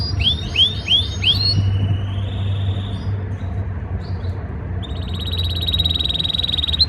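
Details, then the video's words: Canary in breeding season, singing to impress a female: a few rising whistled upsweeps, a quiet gap with faint notes, then a steady high trill, amid low humming noise. "Most powerful Canary singing | breeding season | trying to impress female Canary"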